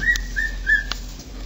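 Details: Male cockatiel kept as a pet, mimicking a siren: three short level whistles in quick succession, with a couple of sharp clicks between them and faint indoor hum.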